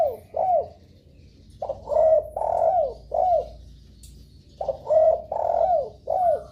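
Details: Spotted dove lure call, used to make other doves answer and start calling: two groups of deep cooing notes, each group of about four short falling coos, separated by a second of quiet.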